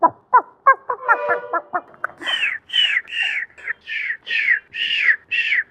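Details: Newly hatched chicken chicks, in winter, searching for and eating food: quick, sharp descending peeps, then a steady run of brighter chirps about twice a second.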